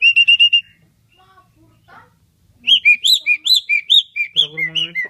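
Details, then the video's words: Asian pied starling in full voice imitating human voices: a quick run of five clear repeated notes, a quiet pause, then a series of loud, rounded, voice-like syllables with strong overtones, ending in a lower buzzy note. "Jalak suren gacor Unik meniru suara orang"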